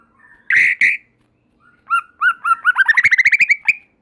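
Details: White-rumped shama song said to get other shamas singing: two loud harsh notes, then an accelerating trill of rapidly repeated whistled notes building into a fast rattle.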